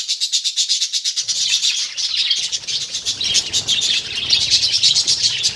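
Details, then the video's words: Colony of budgerigars kept in a group rather than caged, continuous busy chirping and warbling from many birds, with fluttering wing sounds and a low rumble underneath. "Budgies Parrots colony"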